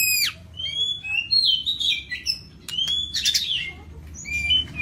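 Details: White-rumped shama, Lampung type, delivering a full 'isian komplit' song: thin high whistles, sweeping slurred notes and scratchy chattering bursts, interleaved with short pauses against a faint low background hum.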